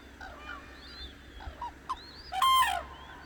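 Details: Dawn on the Hantan River, Cheorwon, in the center of the Korean peninsula. Soft scattered calls and rising whistles build to one loud, blaring trumpet call lasting about half a second near the end.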